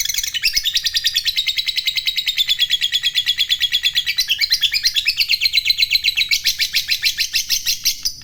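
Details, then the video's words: Long ngekek from a fighter lovebird, the chatter that prompts rival lovebirds to join in: a continuous high rapid rattle of roughly six notes a second, with its pitch shifting up and down throughout. "SUARANYA Sukses Bikin Lovebird Lawan Ikut Bunyi Ngekek,Burung Lovebird Gacor ngekek Panjang"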